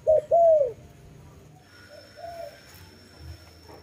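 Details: Dove cooing: two quick low coos, the second drawn out and falling, then near silence with a faint soft coo later and light background hum.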